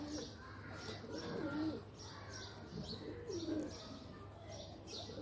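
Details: Pigeons playing in a loft give two soft, rolling coos a couple of seconds apart over steady background hum and faint chirps.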